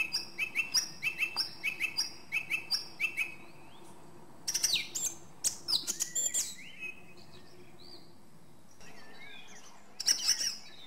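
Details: Song thrush giving a fast repeated doubled note many times over, then a dense burst of varied twittering and a later short flourish.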